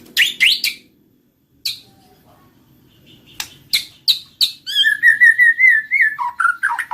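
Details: White-rumped shama opening with sharp, separated chips and clicks, then moving into a fluid whistled phrase that rises and falls and ends in lower warbled notes.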